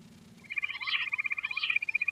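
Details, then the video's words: Quail, known locally as lohari, giving a rapid pulsed trill of high, ringing notes with a buzzy, wavering upper edge, rising twice in strength before holding steady. "Queen quail sound || Lohari ka Awaaj"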